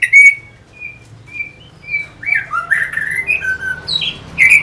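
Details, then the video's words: Orange-headed thrush song as a lure for fighter birds: a sharp opening note, then spaced level whistles, building into a jumble of varied sliding whistles and squeaky notes. "Pancingan SUara ANIS MERAH Pembangkit Figther Burung"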